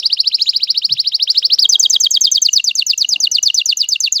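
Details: Courting male canary, excited and singing to make the female take the mating posture: a fast, steady rolling trill that shifts midway to a higher, even quicker run of repeated chattering notes.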